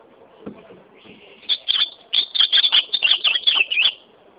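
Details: Ultramarine grosbeak opening with a faint thin whistle, then a lively phrase of rapid, looping whistled notes lasting over two seconds, ending in a twisting flourish.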